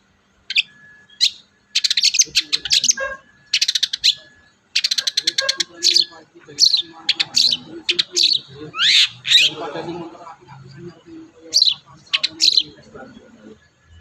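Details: Long-tailed shrike singing to prompt a reluctant shrike to sing: dense rapid chattering trills in bursts, then scattered whistled and rising sweeping notes, with a faint lower background murmur.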